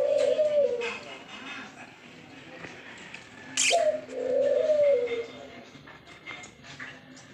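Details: Zebra dove (perkutut), said to be calling actively, gives two soft, low cooing phrases: one at the very start and a longer rolling one after a sharp click-like burst midway. A steady low hum lies underneath.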